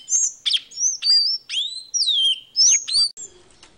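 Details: Caboclinho seedeater song: a quick run of clear, high whistled notes and sharp slurred sweeps, several rising and falling steeply, delivered in bursts about every half second with brief gaps between phrases.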